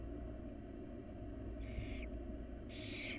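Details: Wild barn owl nestlings beg from their mother during feeding in a research nest box, giving two rough hissing screeches in quick succession after a quiet stretch of low hum.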